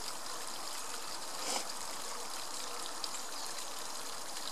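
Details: Steady broadband rush of flowing stream water fills the recording throughout, with only a faint brief tick near the middle and no animal voice heard.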